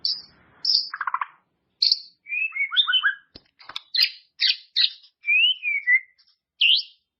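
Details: Training song of a white-rumped shama for caged birds, meant to bring out their learned repertoire: varied whistles, low buzzy rattles, descending slurred notes and bright high chips, with a falling whistled glide near the end.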